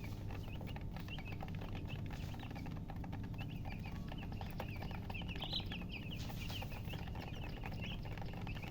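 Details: Newly born chicks peeping steadily, soft high chirps repeated throughout, slightly louder in the middle, beneath a prominent low humming background.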